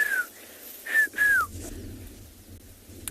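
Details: Rufous-naped Lark, heard at sunrise on 18 January in open plains of Tswalu Kalahari Reserve, South Africa, calling repeatedly from atop a small bush: clear, slightly falling whistles, one, a brief pause, then a quick pair, over a faint low rumble.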